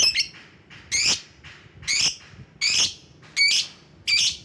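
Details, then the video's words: Lovebird calling rivals: repeated harsh, squealing chirps, six loud notes roughly every 0.7 seconds, each bright and piercing with a rasping texture, with quiet gaps between. "Burung LOVEBIRD Ampuh memanggil lawan"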